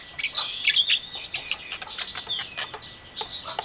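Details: Javan myna doing imitations of a hen calling chicks, an Asian pied starling and a hungry civet: quick, shrill squeaks and whistles tumble together in a busy, scratchy run, loudest at the start and then softening.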